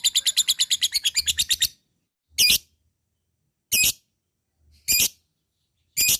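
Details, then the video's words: Lovebird opening with a fast burst of harsh, high chattering notes, followed by four loud, single rasping squawks spaced about a second apart. "Suara LOVEBIRD di sukai musuh labet bahan malas bunyi akan cepat terpancing untuk NGEKEK PANJANG"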